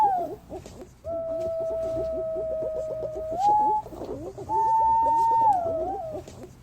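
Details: Green pigeon calls played as a lure: long, steady whistled notes held for about two seconds each, stepping up in pitch at the end, over a busy background of short chattering bird notes.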